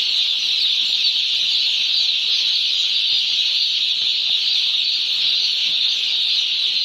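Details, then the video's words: One-day-old chickens massed together on a poultry farm chirping at once; the shrill peeping blends into a constant high-pitched hum with no gaps or single calls standing apart. "Hear the Chirps of 1-Day-Old Chickens From Our Poultry Farm!"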